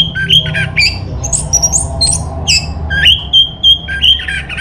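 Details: Orange-headed thrush singing as a lure recording: a lively run of varied whistled phrases, some rising and some flat, with abrupt jumps in pitch, over a low background hum.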